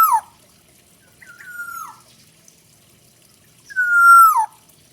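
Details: Full isian song of the Black-naped oriole (kepodang hutan): the tail of one falling note, a quieter level nasal tone, then a loud harmonic-rich sustained note curling downward, all in a quiet setting.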